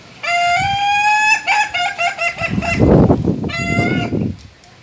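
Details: Ayam ketawa, the laughing chicken, crowing in the style called dursam: one long steady note, then a run of quick choppy laughing syllables, and after a pause a second crow starts the same way. Voices and rustling noise fill the background.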